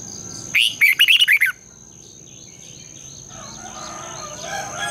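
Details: Red-whiskered bulbul singing at dawn in the long double twisting style, used to stimulate other bulbuls to sing. One rapid run of about seven bright, slurred notes, then soft faint chirping from other birds and a steady high whine.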